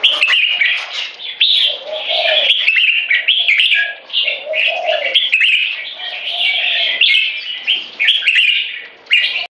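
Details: Competition jambuls (red-whiskered bulbuls), 3.5 and 7 years old, sing butir frequency song to subjugate a rival and hold territory. Rapid, bubbly whistled phrases overlap continuously, with lower throaty warbles below and a sudden stop at the end.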